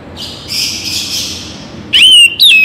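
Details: Oriental magpie-robin (kacer bagong), morning and evening: a harsh rasping buzz lasting about a second, followed by two loud clear whistled phrases.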